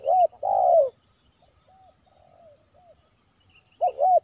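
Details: Spotted dove heard during a morning lure-trapping session in a home village, Silaban, Lintong ni Huta, targeting a wild male; soft, low coos: two loud hooting notes, a run of quieter coos, then two more loud notes.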